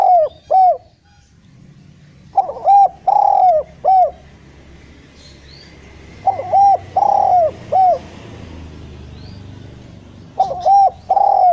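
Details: Eurasian collared dove song for luring reluctant spotted doves to sing. Repeated three-note cooing phrases, mellow and slightly hoarse, with the middle note held longest, returning about every four seconds.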